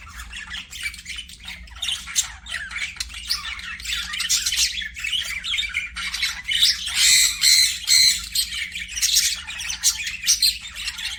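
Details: Budgerigar flock in an aviary giving continuous scratchy squawks and chirps, about two calls a second, irregular and overlapping, growing busier midway, low hum beneath.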